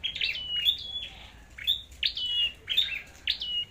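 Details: Red-headed flowerpecker fighting song: sharp high ticks each trailing into a brief level or falling whistle, repeated steadily about twice per second.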